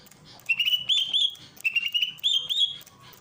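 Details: Greater green leafbird song from Ujung Kulon, used as a master recording for training birds with a water fountain, February 2022; loud clear whistled phrases with sliding, warbling notes in two bursts, faint background noise.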